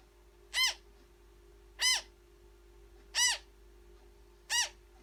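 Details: A newborn African grey parrot chick at feeding time gives four evenly spaced raspy, arching calls, one about every 1.3 seconds, with a constant background hum.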